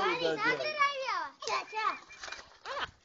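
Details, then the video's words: A common myna mimics human speech with a quick run of voice-like syllables that rise and fall, much like a child's chatter. "common myna bird talking"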